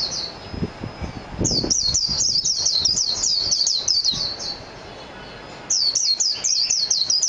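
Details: Mejiro, the Japanese white-eye, gives a fast, high-pitched warbling phrase of bright chirping notes lasting about three seconds, then falls silent before starting another quick twittering burst.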